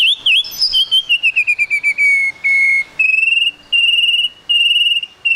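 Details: Murai batu, the white-rumped shama, in trotol style as a lure to make the bird sing quickly: rapid chattering notes, then long sustained high whistles with fast trilled texture, broken by short pauses.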